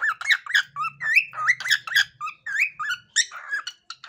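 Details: A male pet cockatiel whistles the tune "Peekaboo" in quick, bright, warbling notes that swoop up and down.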